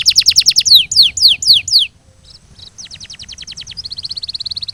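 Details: Canary song from a training recording for canaries, built on rhythmic repeated phrases: fast descending whistled notes, then a short pause, then quicker trilled series and a rapid high rolling trill at the end.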